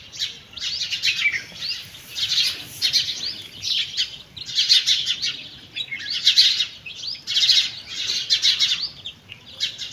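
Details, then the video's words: Hen with chicks while eating; high, wavering peeps from several chicks in grouped bursts, loudest around the middle, the chirps crowding into a shrill chatter. "Chickens and chicks eating sound"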